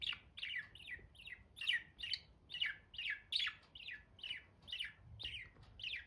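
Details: Pet budgerigars chirping continuously: a regular series of short down-slurred, slightly buzzy chirps, roughly two per second, with a faint low background hum.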